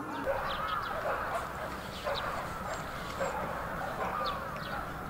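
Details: Bramblings massed in a large winter flock in Yoyogi Park, February 2019: busy overlapping chatter, with a few slightly louder, sharper notes popping out above the continuous background.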